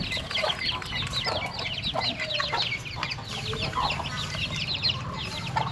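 Many chicks peep at once in dense, high, repeated chirps over a low background hum.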